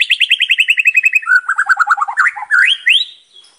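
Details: White-rumped shama in rich, varied song, used as a lure for other shamas: a descending rapid trill, a lower stuttering run of notes, then loud whistles swooping upward.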